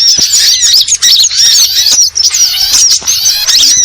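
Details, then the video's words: Rapid, high-pitched sunbird chirps come in an irregular stream, about two or three notes a second. Thin, sharp twitters overlap throughout, with brief dips in between. "Suara Burung Ribut Burcil"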